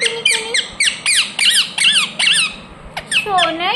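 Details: Ringneck parrot pouring out rapid, rasping down-slurred squawks, then a brief pause and a lower, bending, voice-like glide at the end.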